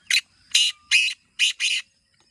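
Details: Black francolin, known locally as kala teetar, kept as a calling bird, gives one full phrase of five harsh, scratchy, broadband notes. The last two come close together. Near silence between notes.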